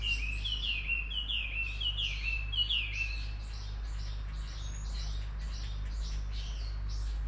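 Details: A bird gives a rapid series of bright, downward-sliding chirps, fairly regular at first and then busier and more jumbled, with a constant low electrical-sounding hum underneath.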